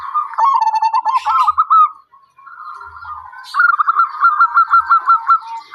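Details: Zebra dove singing a string of quick, bubbling coos that waver up and down, a brief quiet gap, then a fast run of clipped, repeated cooing notes, with faint low knocks in the background.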